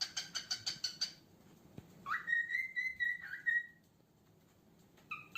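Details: A cockatiel that loves boiled egg gives a quick run of sharp chirps, then a long, clear whistle that swoops up and holds steady.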